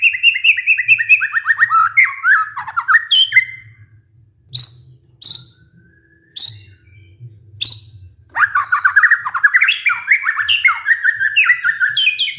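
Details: Lure song of a white-rumped shama, used to stir a stressed bird that stopped singing: rich, fast cascades of whistled and warbled notes, a pause broken by a few sharp high clicks, then another rapid, tumbling run. A soft low rumble sits in the background.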